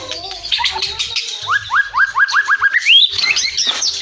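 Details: White-rumped shama from Cilacap singing a loud, rapid phrase: a run of about eight quick upswept whistled notes in steady succession, then a higher rising flourish and varied chattering notes, with faint low hum beneath.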